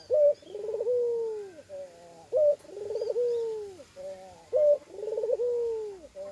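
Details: Spotted dove with an unusual voice, its call carrying extra "koak koak koak" notes: three repeated phrases, each a short clipped note followed by a low rolling coo that bends downward, roughly every two seconds.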